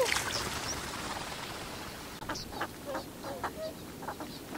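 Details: Male and female Northern Pintails, filmed on 7 February 2015, give short, harsh quacking notes in irregular bursts of about three a second while foraging on water and gravel, with males' high-pitched calls, over a steady background hiss.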